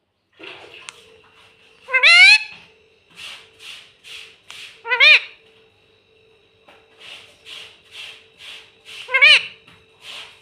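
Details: Pet parrot that talks, saying "mummy" and "papa", gives three loud rising, harmonic calls spaced about three seconds apart. Soft breathy hisses sit between them over a faint steady background hum.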